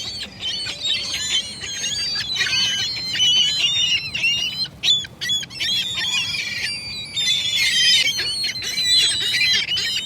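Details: A noisy gull colony, dense overlapping shrieks, squawks and wailing cries, continuous for ten seconds with little pause.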